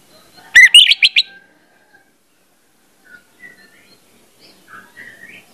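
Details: Orange-headed thrush song used to coax birds into quick singing: one brief, loud cluster of rapid chirped notes, followed by scattered faint, thin whistles in near silence.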